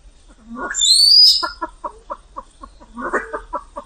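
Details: Harsh call and a loud, rising, double whistled note, followed by rapid downward clucks of a Vietnamese pheasant and a denser, rougher cluster near the end.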